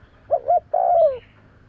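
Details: Spotted dove call used as a lure for catching birds; a low hollow three-part coo, two short notes followed by a longer drawn-out note that slides slightly downward, against a quiet background.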